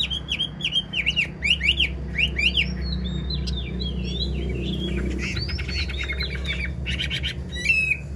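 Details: An old wild-caught male Chinese hwamei (Garrulax canorus), kept as a caged songbird, sings a rich, varied run of loud whistled phrases, slurred up and down and repeated in quick bursts, over a low steady hum.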